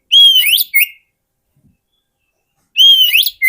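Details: Oriental magpie-robin singing, recorded as a lure for wild birds: a clear level whistle rising into a buzzy sweep and a short low note, repeated after a pause of nearly two seconds.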